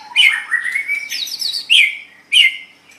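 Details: White-rumped shama song meant for training pet songbirds, with a rising slurred whistle leading into dense, high, bright warbling phrases and two short sharp bursts.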